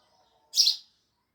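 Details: A single loud, harsh sparrow chirp, short and high-pitched, following a faint thin whistle.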